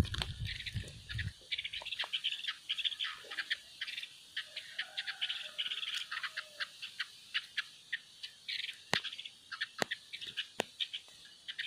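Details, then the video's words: Female bird singing: rapid, dry chirps and short trills at a mid-high pitch, delivered in uneven bursts, broken by sharp clicks and a few low thuds at the start. "Chơi chim cái lươn hót"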